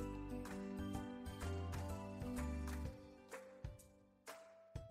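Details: Only instrumental music with steady low tones and regular percussive beats; no animal voice.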